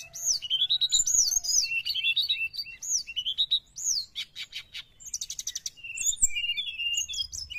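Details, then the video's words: Sooty-headed bulbul song used to lure wild birds: rapid run of bright arched whistles repeated quickly, then buzzy rattling bursts and a further series of short slurred whistled notes. "srdc gacor penarik burung bahan"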